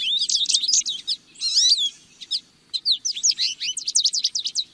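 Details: Song of a lesser goldfinch: high, fast chattering twitters and slurred whistled notes, one downward-slurred phrase near the start, then a series of quick rising chirps after a short gap.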